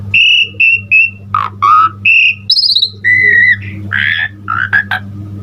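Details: Singing Asian pied starling in full-fill-in style, with bright level whistles, a wavering lower whistle, a high buzzy note, long flat whistles and rough broken notes, all over a constant low hum.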